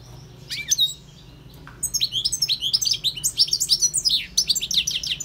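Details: Goldfinch song of quick, liquid twitters and high tinkling trills, an opening short phrase followed by a fast jumble of chirping notes that carries to the end.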